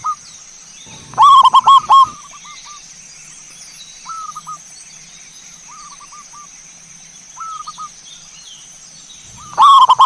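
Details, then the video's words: Cooing song of zebra doves played as a lure to make a bird sing. A loud rolling phrase near the start and another at the end frame several faint, distant stuttered coos, with a steady electrical-sounding whine throughout. "PANCINGAN SUARA BURUNG PERKUTUT"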